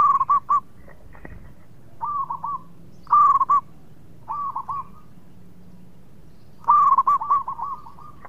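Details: Local zebra dove singing hard as a lure to prompt quick answers from rival birds: short cooing phrases about a second apart, loudest and richest at about 3 and 7 seconds, with a faint background hum.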